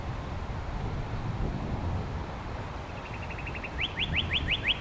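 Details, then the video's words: Northern cardinal singing, recorded with a shotgun microphone with a furry windscreen: after three seconds of low traffic-like rumble, a quick series of short clear notes, then five louder upslurred whistles repeated about five times a second. "Northern Cardinal Song"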